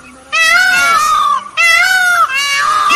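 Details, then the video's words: A peacock gives three loud, nasal, cat-like wails in quick succession, each about half a second long and sagging slightly in pitch. "The Peacock is the Most Exciting Sound on Earth"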